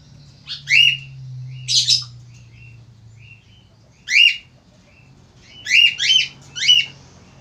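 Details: Loud male Australian falk chirping in scattered groups: single and paired sharp downslurred squeaks, a short burst near the end of three quick notes, and soft faint peeps between, over low humming.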